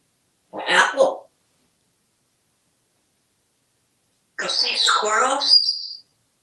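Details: A pet African grey parrot (Psittacus erithacus) in a Texas home makes two bursts of wet, smacking, clicky sounds about four seconds apart while being offered treats like apple and corn; the second is longer and ends in a brief squeaky note.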